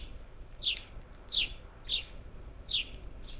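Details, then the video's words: Parakeets visiting a feeder near Houston, Texas, up to ten birds, recorded 27 July 2021; four loud, clipped, high chirps about two-thirds of a second apart, each slightly down-slurred, over faint background noise. "Ten Parakeets at the bird feeder cam"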